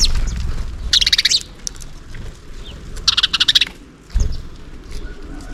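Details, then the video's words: Sparrows chirping while feeding in the morning at a hanging plastic-bottle feeder stocked with millet: two bursts of rapid, high, repeated chirps about two seconds apart, with a low thump and background noise between. "SPARROW Chirping Sound Is The MOST RELAXING Thing To Hear In The Morning | Sparrow birds call"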